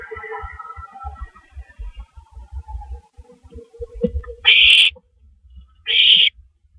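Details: Owls at night on a porch, early morning of April 19, 2012: low rough chattering at first, then two loud, breathy, high hissing screeches about a second and a half apart, over soft thuds and scraping.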